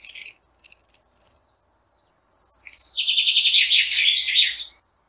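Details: Flycatcher gives a few thin high chips, then a fast run of buzzy, descending and rising twittered notes lasting about two seconds, in a quiet setting.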